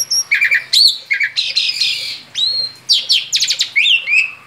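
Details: Male Asian pied starling singing vigorously outside its cage: quick bursts of whistled and chattering notes, rising sweeps and buzzy rattles, broken by short pauses.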